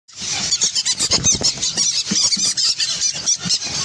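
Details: Adult and baby green-cheeked conures together, giving a dense run of shrill, squeaky high chirps and squeals in rapid pulses, several per second, with barely any pause across the whole stretch.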